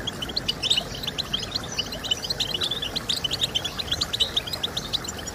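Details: Chattering European goldfinch song, played so that captive goldfinches will start singing. Crisp high notes repeat rapidly in a lively, rolling rhythm over a steady low hiss.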